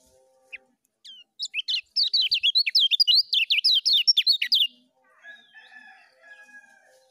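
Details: Lemon-bellied white-eye singing 'ngejos' style: a few scattered high notes, then a sustained rapid stream of loud, sharp twisting whistles for nearly three seconds, followed by faint wavering tones.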